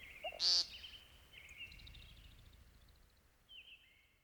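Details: A single sharp, buzzy nasal note from an American Woodcock opens the recording. It is followed by quiet, drawn-out whistled tones from other callers fading into the background.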